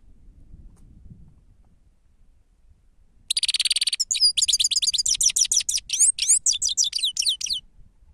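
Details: After several seconds of quiet, a grey-headed goldfinch on a lure recording launches a buzzy rattling trill, then a long fast sequence of sweet, descending twittered notes for about four seconds.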